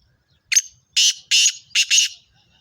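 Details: Female black francolin (kala teetar), described as a fast 'speeder' caller, giving five loud, harsh, rasping notes over about 1.5 seconds. A short first note with a thin whistled tail is followed by broad grating bursts, the last two closely paired.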